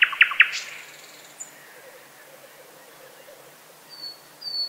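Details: Thrush nightingale song: three loud, sharp clicking notes open the phrase, followed by a thin, high, drawn-out whistled trill, then a quiet pause and two brief high piping whistles near the end, over a clean background.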